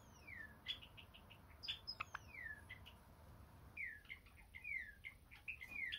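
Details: Pet Java sparrow at home: bright chirps and thin, down-slurred whistled notes, some in quick runs of three or four, with soft clicks and a faint low hum beneath.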